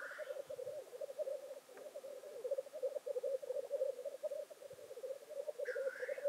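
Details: Black grouse at their traditional lek near Llandegla Forest, North Wales, keep up steady bubbling coos with pulsed phrasing, opened and closed by a harsh hissing call.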